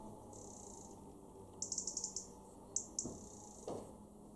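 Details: European robin (Erithacus rubecula) in a garden in Weener, East Frisia, northwest Germany, in November 2023: thin, very high drawn-out notes and a quick run of sharp ticking calls, about eight in half a second, over a low rumble.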